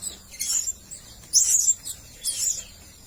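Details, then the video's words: Blue-crowned hanging parrot, a red-breasted male decoy call for luring birds, gives three shrill, very high squeaky calls about once a second, each brief and thin, over quiet background. "Suara-Suara Denak Pemikat Burung Serindit Dada Merah"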